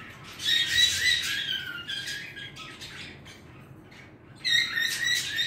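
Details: Indoor pet bird, male, pouring out a chattering warble of chirps and squawks for about two and a half seconds, falling quiet briefly, then bursting into bright twittering notes again near the end.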